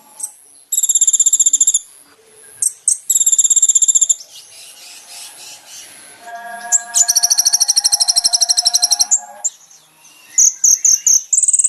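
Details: Song of a brown-throated sunbird from a recording meant for training caged birds: bursts of dense, very high buzzy trills with gaps of softer chatter, one long rattling trill over faint lower tones, ending in scattered chips.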